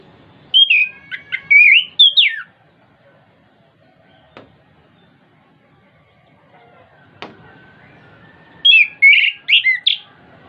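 Orange-headed thrush song: two bursts of rich, fast, varied whistled phrases, high and warbling, separated by a quiet gap with a couple of faint clicks.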